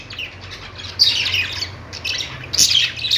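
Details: Chirping budgies: soft scratchy chatter rising into a louder squawky burst at one second and another near two and a half seconds, with a low hum behind.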